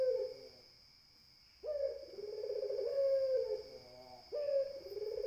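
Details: A spotted dove, called puter, gives drawn-out soft coos, one phrase ending, a pause, then a long gently wavering coo and the start of another, with a constant thin whine in the background.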